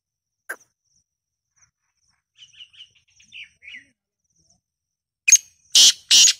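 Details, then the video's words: Black francolin, said to call in winter and summer: a sharp tick and soft twittering notes, then three loud, harsh, rasping notes at the end. "Black tater tots voice"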